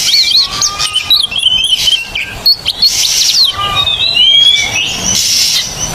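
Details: Oriental magpie-robin singing on a training recording to prompt silent birds to sing: busy warbled whistles, trills and sliding notes over a steady hissing background.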